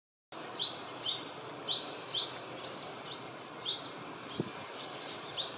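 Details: Male Japanese tit calling after arriving in a mandarin orchard, giving a rapid series of high, sharp two-note whistled phrases, each dropping in pitch, repeated steadily over a hissing background of outdoor noise.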